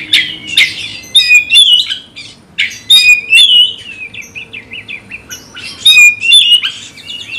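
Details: Caged magpie-robin (kacer) provoked to fight a rival and singing agitatedly: loud, varied whistled phrases around the upper-middle pitch range, with sharp slurred notes and warbles in bursts separated by short pauses.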